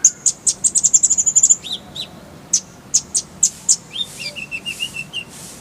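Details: Masteran song of the konin, or kolibri ninja: a quick run of piercing high ticking notes that accelerate into a trill, then scattered sharp chips and a lower warbled phrase near the end.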